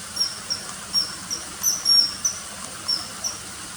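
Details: Common kingfisher uttering sharp, high, thin whistles, single and doubled, at irregular intervals of roughly a third of a second, with a low constant hiss behind.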